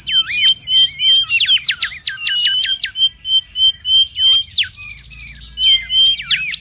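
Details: Mangrove whistler singing noisily in the wild, used for luring and tutoring: high rapid trills and quick up-down sweeps, broken by long level whistled notes, with a second burst of chatter near the end.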